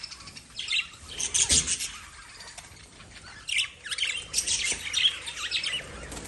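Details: Lovebird chirping in dense, high-pitched squeaky bursts, busiest around one and a half seconds and again from three and a half seconds to the end, with sharp metallic notes mixed in.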